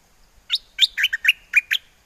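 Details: Caged bulbul in Chana district, Songkhla, Thailand, calling for a mate with wild-type song: a short, loud phrase of seven or eight rich, warbled chirps, a few linked by thin whistles.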